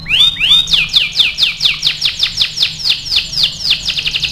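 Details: Energetic AF canary training song: a few rising whistles followed by a long series of bright descending chirps repeated about four times a second.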